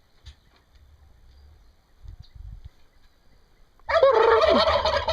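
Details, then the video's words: Turkey in Brazil: faint scuffling and low thumps for several seconds, then one loud, rattling gobble bursting in near the end. "Funny Turkeys gobbling and making funny sounds"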